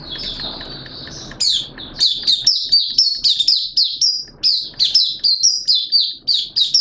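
An Oriental white-eye sings a fast, high, tinkling run of thin whistled notes, about two per second, rising and falling in a lively jumble.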